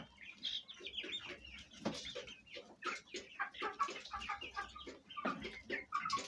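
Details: Domestic chickens, Fayumi hens with young chicks, at home; busy overlapping clucks and short chirpy calls, irregular and rising and falling, several birds calling at once.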